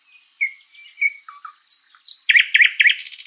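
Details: Thrush nightingale singing in a spring forest: thin high whistles, low fluty notes, then sharp clicking strokes and a run of rapid repeated chock notes ending in a dry high rattle.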